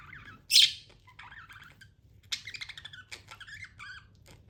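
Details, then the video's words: Pet budgie: one loud, sharp squeaky chirp, soft warbled phrases, then a quick train of short, bubbling chirps that trails off. "budgie chirping sounds"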